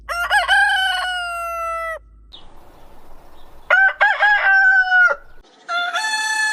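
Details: Rooster crowing in the morning: two long harmonic crows, each opening with short choppy notes and then holding a steady tone for about a second, separated by a quiet gap, with a third crow starting at the end.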